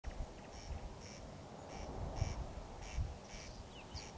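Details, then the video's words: Corn crake calling at night in Kiili parish on 14 June 2021, recorded at 01:35: rasping, paired dry bursts repeated about twice a second, fairly faint over a steady low rumble. "Rukkirääk Kiili vallas rääkumas"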